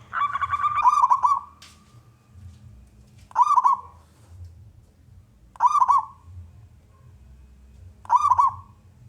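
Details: Loud-voiced local wild-type zebra dove singing prolifically, used to lure other doves into singing; stuttering, rolling cooed phrases repeated about every two and a quarter seconds, four phrases, over a low hum.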